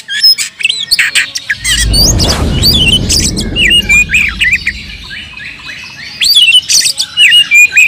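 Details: Oriental magpie-robin singing to spur fighting and stir up emotion. Sharp, varied whistled and chirping phrases rise and fall in quick succession, broken by a loud broad rushing noise in the middle.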